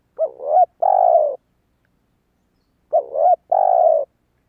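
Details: Spotted dove calling, used to lure wild doves: two phrases, each a short warbling double coo followed by a long, steady, slightly falling coo, separated by about two seconds of silence.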